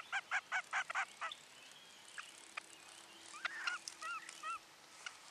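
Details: Mother common loon on her nest as her second chick hatches beneath her, 9 July 2023, alerting after spotting something on the lake: a rapid run of six stacked, laughing tremolo notes, followed by quieter calls from other birds.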